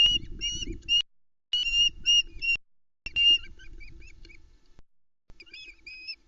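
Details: Nest-cam recording of an osprey family in the Arkaig Community Forest at Loch Arkaig, 10 July 2020 around 05.25, as the male arrives with the first fish: clear piercing whistled chirps in short clusters, fading into softer, sparser notes, light wind noise.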